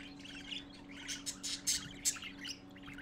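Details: Parakeet babies crowding to see their father, late morning of 12-4-14, give quick bursts of sharp, high chirps and short squeaky notes, several per second and unevenly spaced, above a constant low hum.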